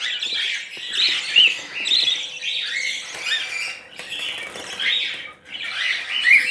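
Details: Young budgerigars being fed porridge by spoon and syringe keep up a stream of raspy, buzzy begging calls, pulsing roughly every second with brief gaps, plus faint clicks.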